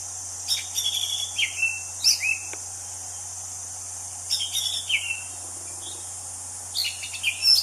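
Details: Wild orange-headed thrush singing: short sweet warbled phrases with rising and falling slurs, given in four bursts a couple of seconds apart, over a steady high insect drone.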